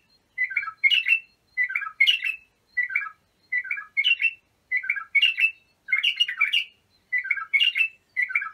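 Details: Bulbul song for training young bulbuls, a steady string of short two-part phrases: a falling liquid warble followed by a brighter chattering burst, repeated about once a second without background noise.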